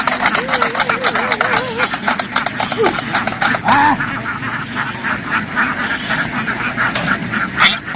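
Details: Ducks on a farm field, having run into water and quickly jumped ashore, make a loud noise: a long wavering quack series, then scattered short quacks, over heavy splashing and flapping clicks and human speech.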